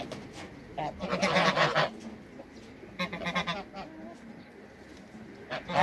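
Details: Three Toulouse geese, two males and one female, in a backyard give two loud bursts of harsh, rapid honking separated by quieter gaps with faint background calls, plus a final honk at the very end.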